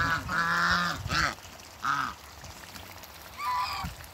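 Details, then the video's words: Loud, drawn-out honk then shorter nasal honks from African geese, two males and one female, enjoying water play in a backyard; calls separated by brief pauses. "TWO MALE ONE FEMALE AFRICAN GEESE AFTER THE CREATE WATERBIRDS PLAY IN THE WATER THE BACKYARD"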